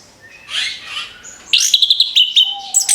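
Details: Orange-headed thrush song played as a lure for other birds: a short burst of high, clipped whistled notes repeated quickly after a soft hiss, ending with a thin steady low whistle.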